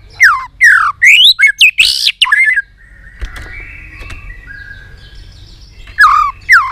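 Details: White-rumped shama singing excitedly with tail-flicking, in a many-voiced song: a burst of loud, fast, sweeping whistles and sharp notes, a quiet pause with faint hum, then two more rising whistled phrases.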